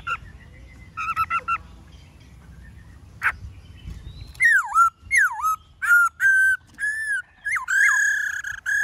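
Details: Black-throated laughingthrush (Pterorhinus chinensis), song.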